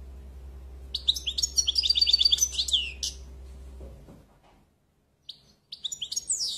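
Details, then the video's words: A European goldfinch delivers a fast burst of high tinkling trills and twitters. The song breaks off into near silence, then resumes with a few more high notes. "Très beau Chant"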